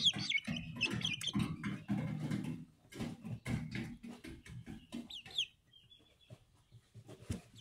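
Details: Young Speckled Sussex chickens, hatched on 22 March 2023, make bright high chirps in the opening seconds and a sharp falling peep near the middle, then a faint drawn-out tone, amid dull low rumbling and scuffling.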